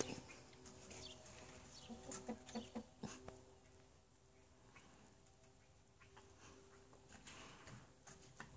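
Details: Chickens give faint, quick clucking notes, a short burst of four or five around two to three seconds in, amid low background noise and scattered clicks.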